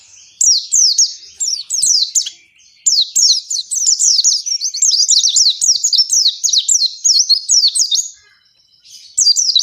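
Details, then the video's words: Oriental white-eye delivering an extended 'ngalas panjang' song used to stimulate caged white-eyes into song; nearly unbroken high, rapid twittering and squeaky trills continue for several seconds, pausing once briefly before starting again. "Suara Pleci Gacor Ngalas Panjang ini Yang bisa Bikin Plecimu Cepat Ngalas"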